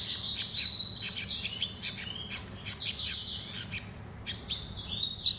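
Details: Mozambique serin x canary hybrid pouring out bright, high twittering song with quick chirps and buzzy trills, a short pause, then loud sharp chirps resuming at the end over a quiet hum.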